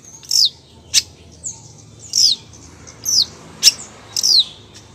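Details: Long-tailed shrike female calling toward the male with a string of high, down-slurred squeaky chirps mixed with short sharp clicks, roughly two per second.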